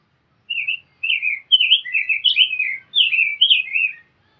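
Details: Rose-breasted grosbeak singing: a rich warbled phrase of looping whistled notes, rising and falling, delivered in three connected bursts over about three and a half seconds, with no other sounds.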